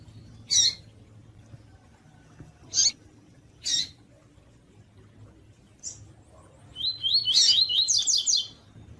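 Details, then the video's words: Double-collared seedeater in the tui-tui song style, with female calls played to excite males: four harsh, buzzy high chips spaced irregularly, then a fast rising-and-falling warbled phrase of repeated notes near the end. "COLEIRO TUI TUI FIBRA E PIADO DE FÊMEA DE COLEIRO PARA ESQUENTAR PAPA CAPIM E ESQUENTAR COLEIRO TUI"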